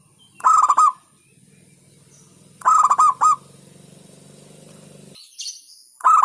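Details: Zebra dove of the local type giving its song: clustered, rapidly stuttered coo phrases about two seconds apart over a low steady hum, with a thin high chirp near the end.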